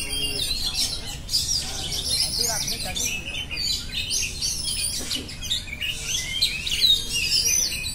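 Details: Oriental magpie-robin delivering a long, busy song of high whistled phrases and quick chirping bursts, with only short lulls between them.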